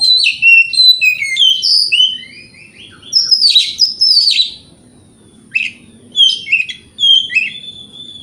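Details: Morning song of an Oriental magpie-robin meant to goad rivals into replying: rapid strings of bright whistles and trills, shifting pitch, delivered in several energetic bursts separated by brief gaps, with a thin constant high tone behind.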